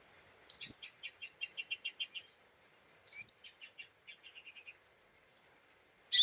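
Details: Agitated lesser green leafbird, an excitable 'ngeriwik' lure used to stir up other birds: a loud upswept whistle followed by a rapid string of soft chips. The pattern plays twice, and a short whistle comes near the end.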